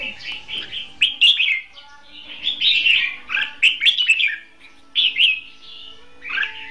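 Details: Caged decoy red-whiskered bulbul used for trapping wild birds, singing in competitive style; bright, warbled whistled phrases in quick bursts with short pauses, over a faint steady hum.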